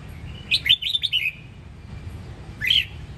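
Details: Red-whiskered bulbul from Sông Kon, Đông Giang, Quảng Nam in Vietnam, a bird bred for song: a fast burst of five or six bright whistled notes, a pause, then one loud upslurred whistle, faint steady hum behind.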